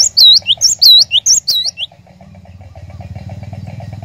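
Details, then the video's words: Cinereous tit (glatik batu) song meant as a lure to set other birds singing continuously ('ngerol'): a quick string of loud, high, looping whistled notes for two seconds, then a low engine-like rumble. "PANCINGAN BURUNG GLATIK BATU, DIJAMIN GLATIK BATU ANDA LANGSUNG IKUT GACOR NGEROL"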